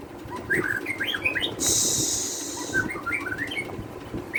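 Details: White-rumped shama song used as a tutor recording: varied clear whistled notes and slurs in loose phrases, broken by a long burst of hissing noise, with constant low background rumble throughout.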